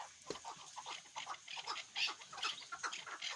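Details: Chukar partridge kept for hunting gives rapid, scratchy clucks, about two or three a second with irregular spacing. The notes blend into a busy chatter against constant hiss.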